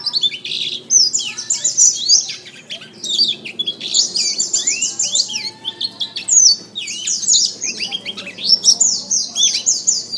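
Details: Caged canary tutor song, masteran style, meant to make birds sing well: dense, continuous high trills and chattering twitters with repeated rising-and-falling sweeps, barely pausing across ten seconds.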